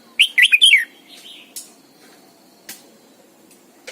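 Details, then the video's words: Morning song of a Red-whiskered bulbul lure bird, sung in the double-note style used to coax other birds into singing. Opens with one loud rapid run of liquid, chirping whistles, followed by scattered soft notes and sharp clicks. "luyện chào mào mồi hót sáng cực hay, ép chào mào hót âm kép già rừng hay tuyệt!"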